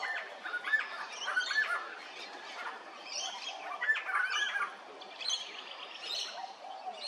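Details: Little friarbird recorded at Hervey Bay, Queensland, with rough, raspy squawks and cackles repeated in irregular groups about every second, amid a chorus of higher-pitched chirping birds.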